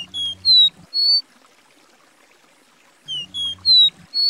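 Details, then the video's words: A Copper Seedeater from Brazil sings clear, high whistled notes, some sliding up or down, in a short phrase repeated after a pause, over a faint low hum. "é o canto do caboclinho (Sporophila bouvreuil)"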